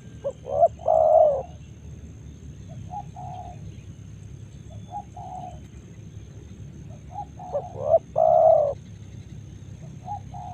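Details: Morning in Karawang rice fields, where a nearby spotted dove gives a loud rolling coo near the start and again near the end, separated by softer, far-off doves cooing over a constant low hum.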